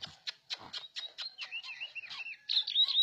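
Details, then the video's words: Orange-headed thrush singing in 'teler' style: a string of sharp clicking notes leads into quick looping warbled whistles. The phrase ends in louder high, trilled notes. "Anis Merah Teler Kagak Ketulungan"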